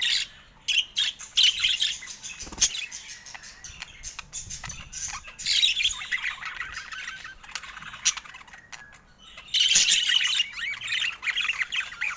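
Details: Pet budgerigar at play with its owner, giving scratchy squawks and chatter in irregular bursts with quieter gaps, loudest near the end.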